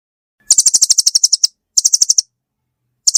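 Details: Velvet-fronted nuthatch giving very high, rapid chit notes in tight bursts: a long run of about fourteen, then a shorter one of seven, then the start of a third, with clean silence between.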